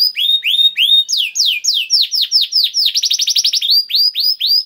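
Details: Clear canary song meant to prompt other canaries to sing: spaced rising whistles, sweeping downward slurs, a rapid trill burst, then evenly repeated swept notes roughly four per second.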